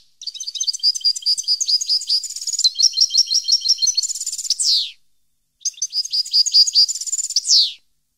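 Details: In 2015 a European goldfinch delivers a long, lively twittering phrase of high chirps and trills ending in a buzzy falling note, then after a short pause repeats a shorter version with the same ending.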